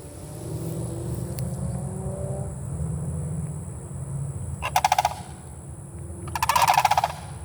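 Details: One of three sandhill cranes together in Bunnell, Florida gives two loud, rolling, rattling calls, each under a second and about two seconds apart, over a low rumble of wind or traffic.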